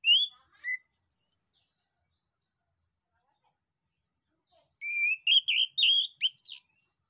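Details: Male orange-headed thrush from Southeast Asian forests, sung to make other birds respond: a few clear rising and falling whistles, a long silence, then a quick string of buzzy mimicking notes.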